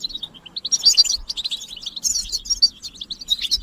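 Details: European goldfinch chorus of mating and readiness calls used to rouse males to song; bright tinkling twitters and fast slurred notes tumbling over one another without a break.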